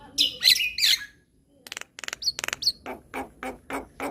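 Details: Javan myna kept captive, used to prompt stressed mynas to sing; a pair of harsh squawks, a burst of rapid clicking, two short whistles, then evenly repeated dry raspy notes.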